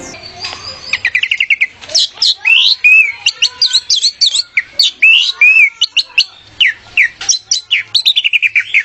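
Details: Orange-headed thrush song from an Indonesian masteran recording used to train kept songbirds: opens with a quick series of repeated clipped notes, then loud, varied whistles, slurred rising and falling notes and rapid trilled phrases.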